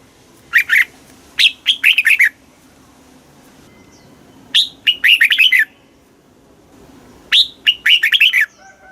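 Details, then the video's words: Red-whiskered bulbul, Thailand, southern master-pattern song played to stimulate caged bulbuls and teach young birds: three short, lively phrases of clear, looping whistled notes, each under a second long, repeated roughly every three seconds. "เสียงนกกรงหัวจุก ร้อง ริก เปิดให้นกฟัง ยั่วให้นกคึกจัด chao mao hot, chào mào hót"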